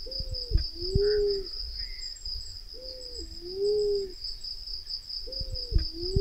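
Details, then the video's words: Hunter's lure recording of Black-naped fruit dove, meant to gather the doves: low hollow two-part coos, a brief flat note then a drawn-out swelling hoot, about every two and a half seconds, with constant high insect drone and occasional knocks. "SUARA PIKAT PUNAI KEMBANG Black naped Fruit dove (Ptilinopus melanospilus)"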